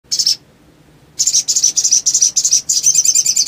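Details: Little spiderhunter in full, lively voice, meant to stir other spiderhunters into song: a short high chirp, a pause, then a fast run of sharp, high chips speeding into a dense trill.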